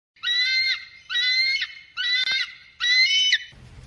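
An eagle gives four shrill, harsh screaming notes, each about half a second long and evenly spaced, with faint background rustle at the end.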